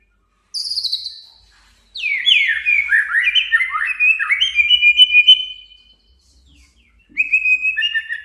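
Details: A male white-rumped shama provokes a rival. A high falling whistle is followed by a rapid cascade of swooping whistled notes, then a pause and short level whistles.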